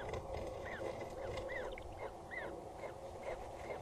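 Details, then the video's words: Nestling peregrine falcon heard at Axel Tower in the Netherlands on the evening of 14 April 2019, giving faint curved chirps a few times a second against a constant low hum. "Is there already a chick?. We hear him"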